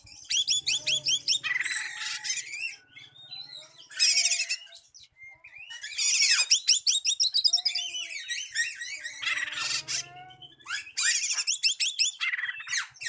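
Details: Long Oriental magpie-robin song aimed at a rival, with rapid repeated upswept chirps alternating with harsh buzzy bursts and varied whistles, faint low murmur at times.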